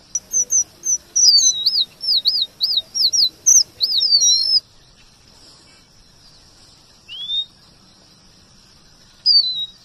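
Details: Red avadavat (strawberry finch) singing as tutor song for training white-rumped shamas: a quick run of high, wavy whistled notes repeated about three times a second, then quiet with two lone upslurred whistles.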